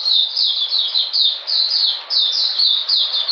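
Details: Oriental magpie-robin, kept in captivity, singing during cold rain on 13 June 2020: about a dozen loud, high down-slurred whistles in close succession over constant hissing noise.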